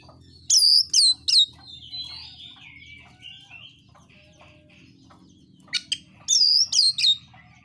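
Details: Fighting song of a caged Oriental magpie-robin used to provoke other birds: three loud looping whistled notes, a long descending warbled trill, quiet ticks, then another loud burst of looping whistles over a low hum.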